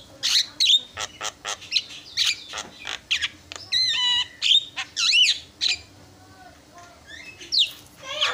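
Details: Javan myna, a frequently singing bird whose recording is meant as a lure to provoke rival mynas into calling, in a loud, varied run of harsh squawks, clicks and sharp whistled notes, each burst a fraction of a second, with brief pauses.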